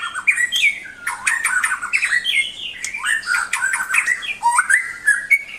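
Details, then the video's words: Continuous varied song of a white-rumped shama, rapid whistled phrases jumping between low and high notes, interspersed with harsh chattering and squawky fragments, with no pause throughout. "Kicau murai yang bikin ngiri nie super banget"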